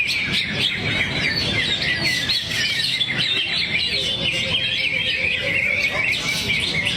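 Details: Greater green leafbird pouring out song material while singing in the 'teler' manner. Unbroken, high, chattering warble of rapid tweets and sweeping whistled slurs, with a brief lower steady tone midway and a faint background rumble.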